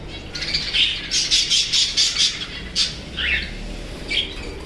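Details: Caged cockatiel, whose female has just hatched a chick, gives harsh, high squawking calls in quick irregular bursts.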